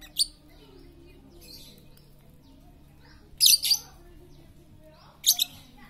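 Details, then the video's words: Chatty lovebird, a lure for quiet lovebirds: a brief sharp chip, a faint distant twitter, then two harsh, grating, high chatter bursts with a low background hum. "Pancingan Lovebird super cerewet untuk memancing Lovebird diam jadi fikter"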